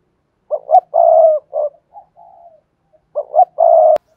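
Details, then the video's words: Cườm Sa style song of a spotted dove, voiced hạp bổi: a full phrase of quick stepped coos, a drawn-out coo and softer falling tail, then a second phrase starting, cut by a sharp click. "tiếng chim cu gáy bài bản Cườm Sa"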